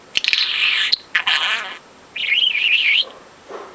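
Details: Young pet budgie chattering: a buzzy scratchy burst, then a second rasping phrase, followed by a wavering warbled whistle lasting about a second, with a faint low note at the end.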